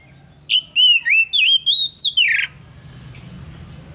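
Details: Ngeplong-style song of an Oriental magpie-robin: a single two-second phrase of loud, clear whistles, each looping up and down, climbing slightly and closing with a raspy descending note, followed by low background rumble.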